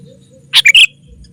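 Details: One brisk, bubbly three-note phrase from a sooty-headed bulbul lure call for calling in wild rivals, notes bright and slightly falling, with low background hum.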